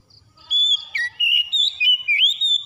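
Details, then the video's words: Oriental magpie-robin, song as therapy for a bird that has gone quiet: a dense run of loud whistled notes, some held and some sliding up or down, in quick successive phrases. "TERAPI KACER MACET BUNYI CEPAT ON GACOR"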